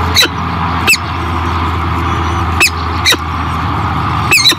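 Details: Peregrine falcon at the Great Spirit Bluff nest in 2023 during feeding of new hatchlings: short, harsh, scratchy screeches given singly or in pairs about every half second to second and a half, over a constant low hum and hiss.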